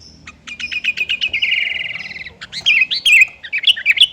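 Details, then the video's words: Persistent sooty-headed bulbul song, played to provoke competitors into singing. A fast stuttering trill rolls into a long buzzy rattle, followed by loud bubbly, warbled chirps. "Kicauan Burung Kutilang Gacor Cocok untuk Panggil Lawan biar Ikut Ngoceh"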